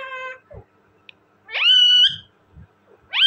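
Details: Talking parrot: a short buzzy harmonic note, a quiet pause, then a loud drawn-out nasal call that rises sharply and holds steady for half a second, and another rising call starting at the end.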